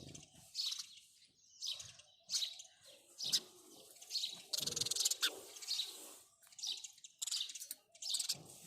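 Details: House sparrow chirping in a steady run of short, bright, harsh chirps, several per second in loose clusters, with faint low knocks and rustles beneath.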